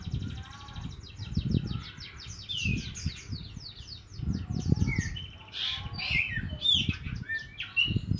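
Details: Javan munia youngster practising its chirping: fast runs of high ticking notes followed by slurred, downward and upward whistles, with heavy low-pitched noise underneath.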